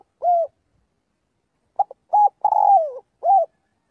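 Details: Spotted dove in daily flock-calling practice: a lone coo, then a phrase of clipped hoots, a rounded coo, a long gliding falling coo and a closing coo.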